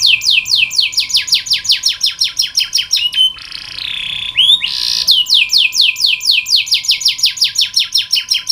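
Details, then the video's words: Tutor recording of canary song for training canaries to sing: rapid repeated downward-slurred whistles, a short buzzy sustained passage and rising note in the middle, then another quick run of descending notes; low hum behind. "KENARI malas bunyi, Terapi untuk kenari masteran canary"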